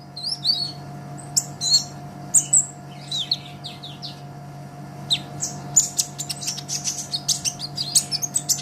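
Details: ['Olive-backed sunbird in energetic song used for training songbirds: scattered high squeaks and whistles at first, then a rapid, crowded run of sharp chirps in the second half, over a low hum.']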